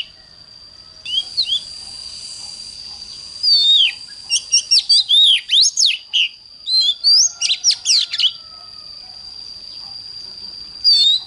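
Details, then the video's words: Oriental magpie-robin singing in the morning: after a soft start, a long loud sequence of sharply sweeping whistles and crisp chirps delivered in quick succession, fading to a thin steady high tone. "Chích choè than hót sáng"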